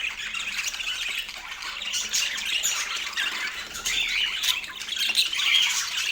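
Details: Pet parakeets at morning feeding time on an autumn day in natural light, keeping up a dense, continuous high chatter of scratchy squawks and twitters that swells and fades without pause.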